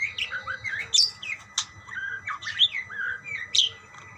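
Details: Budgerigars exchanging calls, mixing scratchy squawks with bright, rising and falling chirps and warbled notes in an uneven, lively stream.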